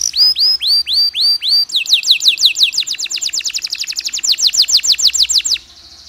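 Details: Long canary song used as a lure for stressed canaries: loud, rising-then-falling whistled notes, then a fast run of sweeping downward notes, ending in quiet.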